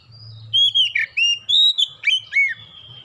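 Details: Kacer (oriental magpie-robin) song for luring birds into song: a rapid run of loud, sustained whistles and sharp downslurred notes, about eight strong phrases in three seconds, over a soft low hum.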